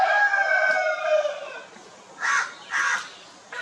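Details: Crowing on a poultry farm in India with Italian and desi chickens establishing territories: a long, falling, harmonic crow tail that fades after about 1.5 seconds, followed by two short squawking calls and another beginning at the end.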